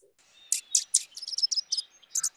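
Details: Dark-eyed junco (Junco hyemalis) call: a quick run of about eight sharp, high chips and thin twittering notes in two seconds, with no other sounds behind them.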